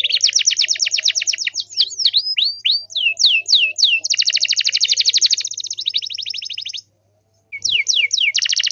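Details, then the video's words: Canary song for making other canaries answer: long fast high trills and a series of looping whistled sweeps, a brief silence, then the rapid trilling resumes. "SEKALI PUTAR KENARI LAIN PASTI NYAUT"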